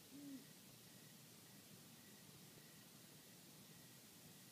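A single deep, soft hoot from a great horned owl opens the recording, followed by quiet hiss and a faint, steady ticking in the background.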